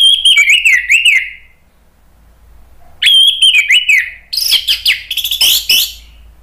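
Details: Orange-headed thrush song used to stimulate other birds to sing: loud whistled phrases with rapid up-and-down notes, then a pause, then a varied burst of high, sharp chirps and trills.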